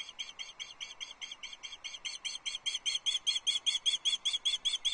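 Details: Wild female osprey fish calling from her nest at Loch Arkaig on 6 July 2024, calling to an absent mate for nearly three hours: steady high whistled chips about three per second, growing louder and more insistent toward the end.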